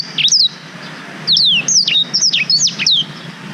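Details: Song of a black-throated canary, used as a master voice for training canaries and filmed with a GoPro Hero 5. One opening note is followed by a quick chain of high, descending whistled slurs and short chips.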